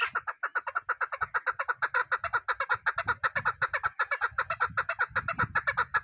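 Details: Chukar partridge calling in a rapid, steady series of harsh clucking notes, about six per second, each short and throaty with a bright ring, running without pause for the whole stretch; faint low thumps underneath.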